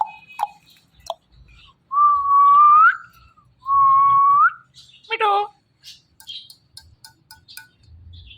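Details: Talking pet parrot whistles two clear rising notes, each about a second long, followed by a short squawky meow and then near quiet.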